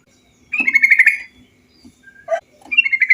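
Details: Bulbul sounds from a training recording to make kept birds sing: two short bubbly warbled phrases with a low clucking note and a brief whistle between them.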